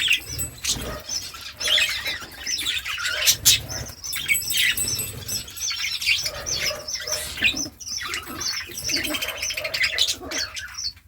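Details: Budgerigars giving a chirp said to make other budgies dance: dense, continuous twittering chatter of many short high chirps and warbles, with soft flutters in between.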